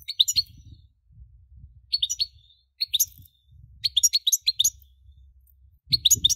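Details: Goldfinch song in short bursts of high, jangling twitters and chirps, repeated every second or so, over a constant low rumbling background noise.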